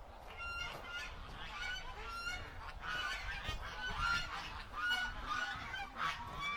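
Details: Domestic geese run toward the gate as the keeper comes in the morning, honking to be let out, on July 18, 2018. Many overlapping nasal honks repeat steadily over a windy background.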